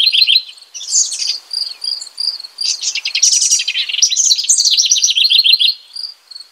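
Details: House wren (Troglodytes aedon) pouring out quick, gurgling song phrases full of trills and sharp downward-slurred notes, several in a row. Short gaps reveal a background of high, regularly repeated chirps.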